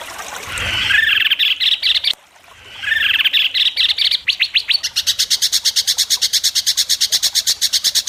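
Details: Competing White-rumped shama singing sharp besetan in front of judges: rising whistled phrases, a brief pause, more rising whistles, then a long rapid burst of identical high, harsh notes repeated several times per second.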